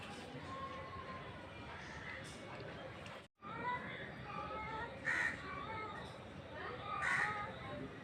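A Rufous Treepie gives harsh, nasal, crow-like calls in short bursts a couple of seconds apart, over a steady background hum and faint voices.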